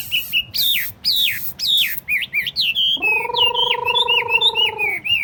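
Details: Tame, hand-carried Chinese hwamei in a cage on a table. Emphatic descending whistles lead into fast chattering notes over a long, steady, reedy tone held for two seconds.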